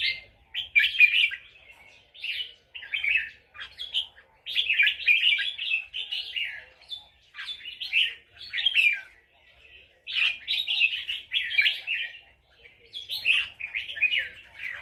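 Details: Counted-phrase song of a red-whiskered bulbul in Loei province, Thailand: bursts of rich, chattering whistled notes, each lasting about a second, repeated in close succession with brief gaps, clear against near silence.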